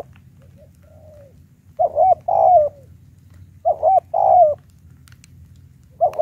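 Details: High-pitched spotted dove lure call for challenging wild doves: paired low cooing notes, a short coo then a longer stressed one, repeated about every two seconds over a faint low hum.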